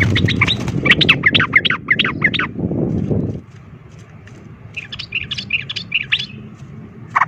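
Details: Sooty-headed bulbul fighting song provoking other birds; rapid chattering whistled notes over loud low background noise, then a quieter bubbly phrase after the noise drops.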